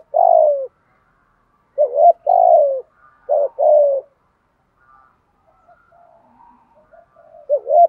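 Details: Spotted dove decoy calling to lure birds, male and female voices: low hooting coos in paired phrases, a short rising note then a longer falling one, repeated about every one and a half seconds, with faint softer notes near the end.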